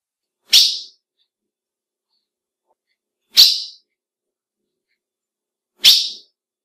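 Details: Three clipped, high chips from a female ultramarine grosbeak, spaced roughly two and a half seconds apart; a call that males recognise and that excites them. No other sounds.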